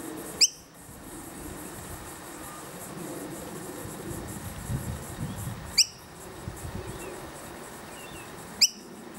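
A young Noisy miner gives three brief, sharp, harsh calls several seconds apart, calling to its parents over a low steady background hum.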